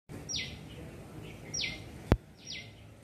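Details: A shikra (Accipiter badius), a small bird of prey, in a garden while looking for prey, gives three sharp, high notes, each sliding steeply downward, about a second apart, over a low background rumble with one loud knock midway.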